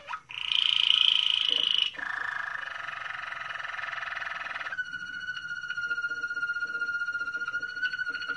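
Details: Moroccan Malinois canary singing a long buzzy rolled tour, first high and then dropping to a lower, fuller rolling phrase, before switching to a clear sustained whistle with faint ticking notes beneath.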